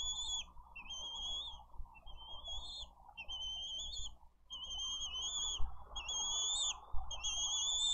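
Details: A hungry bald eagle chick in a wild Dade County nest on 20 April 2023. Repeated long, high, thin whistles, some slurring upward, roughly every second, over a constant low rumble of wind and a few knocks.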